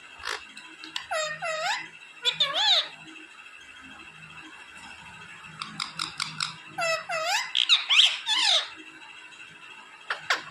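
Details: Pet parrot interacting with a person's hand indoors: bursts of rapid squeaky, harmonically rich chatter and rising-falling squawks in several groups, over a steady low room hum.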